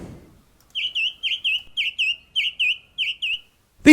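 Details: A song thrush sings from a treetop in the New Forest, England, in 2021, possibly celebrating a hatched chick: a bright, slurred two-note phrase repeated about eight times quickly, then a brief thump.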